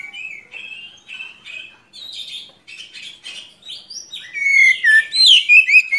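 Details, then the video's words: Oriental magpie-robin in long, continuous rolling song, used as a tutor for young birds: varied high whistles and rapid chattering phrases, growing louder with bright sliding notes near the end. "Kacer Gacor Ngerol Panjang"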